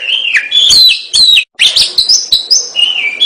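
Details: Oriental magpie-robin in lively song: wavering whistles and scratchy chirps, a brief silence, then a string of quick high whistled notes and a falling whistle at the end.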